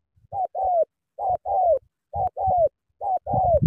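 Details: Spotted dove: four clean paired coos, a brief first note and a longer smooth downslurred second, evenly spaced against a quiet background.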